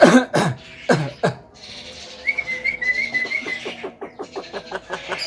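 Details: Tame talking Javan myna mimicking speech: low throaty voice-like bursts, then a wavering whistled phrase and a run of quick clicks.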